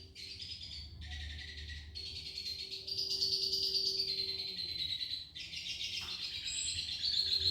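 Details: Red siskin singing actively in the gacor isian style: a long, continuous high twittering warble in bursts of a second or more, with a steady low hum beneath and faint background noise.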